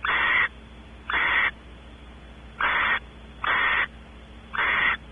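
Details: Barn owl pair at Audubon Starr Ranch, California, male exploring the cavity, female expecting mating. Five loud hoarse hisses in five seconds, each roughly half a second long, with uneven pauses between them and low hum beneath.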